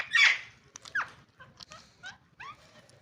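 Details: A family of green rose-ringed parakeets gives a harsh, grating screech, then a run of shorter squawks and quick rising chirps, several each second, all high-pitched with a faint background hum.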